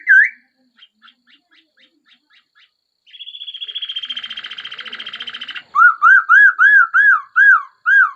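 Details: Laughingthrush opens with a single whistle and faint ticks, then a harsh buzzing rattle, followed by a series of loud, bell-like arched whistles repeated several times.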